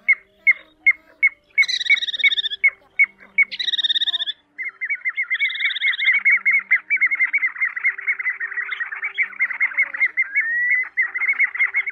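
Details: Pacific golden plover calls used as a lure for night net-trapping of migrating birds in Vietnam, August 2024: sharp whistled notes and rising slurred whistles, then a fast, continuous chattering stream of high calls, like a calling flock.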